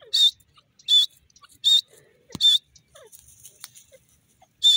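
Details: Grey francolin, the desi teetar, calling: loud, shrill, high-pitched notes, each briefly wavering, repeated roughly every three-quarters of a second, five in under five seconds, with faint chirps and clicks between them.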